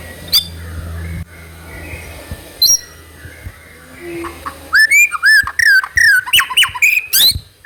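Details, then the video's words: Trotol-style song of a White-rumped shama, played as a lure to get other birds singing: quiet start with a few high notes, then a loud run of fast whistled and chipping notes sliding between mid and high pitch. "PANCINGAN MURAI BATU TROTOL AGAR CEPAT BUNYI GACOR"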